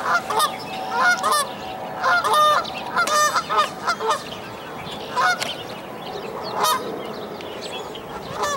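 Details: Canada goose at a dead-tree nest, goslings jumping down to follow their mother; clusters of loud, harsh nasal honks in quick pairs and triplets, then quieter gaps.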